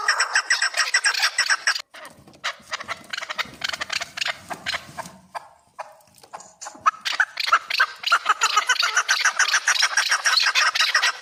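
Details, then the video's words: Chukar partridge calling at Kabodiyon: fast rhythmic chuckling bursts, fading to a quieter stretch mid-way, then returning loud and rapid to the end. "Кабки Кабодиён"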